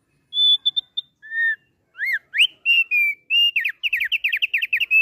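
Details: Song of a kept thick-billed heleia: pure whistles and a rising slur open into a rapid, rolling series of slurred whistled notes, loud and clear against a quiet background.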